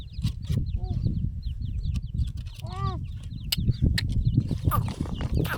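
A grey francolin gives harsh, ringing call notes, with a run of short, thin, high chirps repeated quickly. Heavy low rumble and handling noise run throughout.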